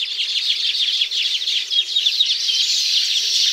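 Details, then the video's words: Chattering Baya weaver near its intricate hanging nests in the tropics: rapid, rasping high chirps run together into a steady buzzy twitter, with brief clearer whistled notes mixed in. "The Baya Weaver’s Amazing Nests | Tropical Birdlife Sounds"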